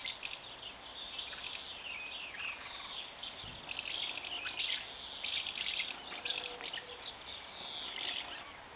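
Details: Common house martin holding its nest, even against its partner, on 20 May 2015; quiet, high, scratchy twittering comes in short bursts over steady outdoor background noise, with busier chatter around the middle.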